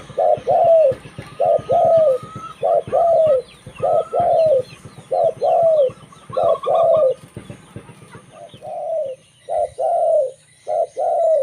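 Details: Local zebra dove singing, a recording used to lure other zebra doves; a long run of paired coos roughly once per second, with chirping of small birds and a low hum behind.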